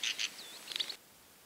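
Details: A European goldfinch (Carduelis carduelis) gives a brief burst of bright, tinkling twitters with one slurred, swooping note, lasting about a second before quiet background.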